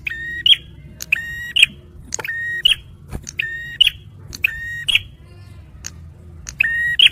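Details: Bar-winged prinia male singing a repeated phrase for luring and stimulating stressed birds: a brief tick, then a level whistled tone snapping upward at the end, nearly every second, with faint low hum behind.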